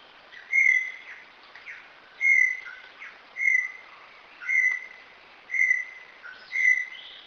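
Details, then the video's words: Brown Tinamou, called Inhambu Guaçu, singing in rural Brazilian countryside: clear whistled notes, each rising then steady, repeated about once a second, with fainter lower whistles between them. "Canto número 3, Inhambu Guaçu. Canto"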